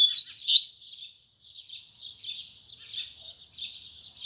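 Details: Morning song of a double-collared seedeater in the tui tui zel zel style. It opens with two loud sharp whistled notes, then a brief pause, then a flow of softer quick buzzy twitters.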